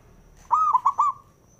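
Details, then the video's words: Zebra dove, a male, sings one phrase meant to stir other doves into singing: a soft, clear coo broken into four rapid, bouncing notes, then trailing off into a held tone. "SUARANYA🔊 PALING DI CARI UNTUK PENDONGKRAK PERKUTUT JADI EMOSI"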